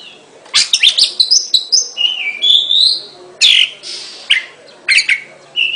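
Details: Oriental magpie-robin singing a varied song of quick chirps, a slurred rising whistle and scratchy bursts, with short phrases broken by pauses.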